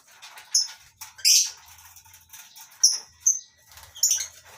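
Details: Caged lovebirds in a small colony aviary on a farm in the morning, including masked and Fischer's lovebirds. Sparse sharp, high-pitched chips and one harsh screech are spaced about a second apart, with soft rustle between.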